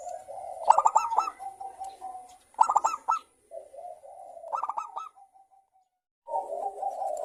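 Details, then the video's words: Caged local zebra dove singing to stimulate other doves: three bursts of quick stuttered coos followed by drawn-out lower cooing notes, phrases roughly two seconds apart, in a quiet indoor setting. "pancingan perkutut lokal gacor suara kristal bagus untuk Merangsang BUNYI kutut."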